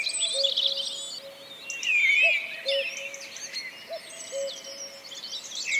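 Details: Common Cuckoo recorded in Wales in April 2004: low, soft two-note cu-coo calls, the first note slightly higher than the second, repeated about every one and a half seconds beneath a busy chorus of high twittering and whistling songbirds.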